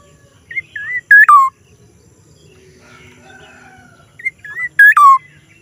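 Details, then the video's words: Strange call of a black-naped oriole, given twice about four seconds apart. Each phrase has short fluty whistles leading to a loud nasal note that falls away into a lower whistle. Faint bird twittering can be heard between the phrases. "kepodang suara Aneh"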